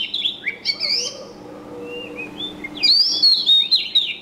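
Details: Bird chirping in bursts of high slurred whistles and twitters, a softer warbling passage in the middle, then loud sharp rising and falling notes at the close, over a faint constant hum.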